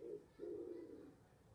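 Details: Pigeon nesting in a balcony flower box in Denmark, called a wood pigeon though possibly a turtle dove; two low, hollow coos, a short one then a longer drawn-out one, in a quiet setting.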